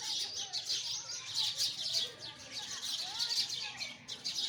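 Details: High, scratchy sparrow chirps pour out continuously from many birds, punctuated by a few short descending whistles.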